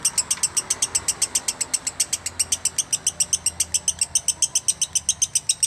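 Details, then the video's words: Lovebird song made of crisp, regular high chirps in an even rhythm, about four per second throughout, with a low hum underneath. "Love bird VIRAL" Masteran Love bird konslet""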